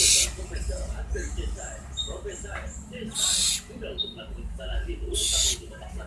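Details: Barn owl giving two harsh, hissing screeches about two seconds apart, each lasting under half a second, over low rumbling background noise and faint murmuring voices.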